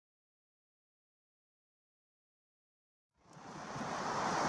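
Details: Total silence for about three seconds, then a rising broadband hiss of wind or water.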